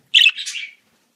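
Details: Budgerigar training song intended to get a pet budgie singing: one sharp, scratchy chirp runs straight into a short, buzzy, chattering warble lasting about half a second, then silence.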